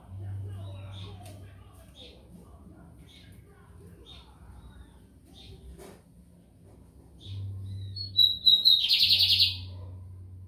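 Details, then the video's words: Lined seedeater in São Luís, Maranhão, Brazil: spaced short high chips for several seconds, then rapid whistled notes building into a loud buzzy trill, with a low hum underneath. "BIGODINHO AMERICANO / 15 MINUTOS SÓ DE CANTO"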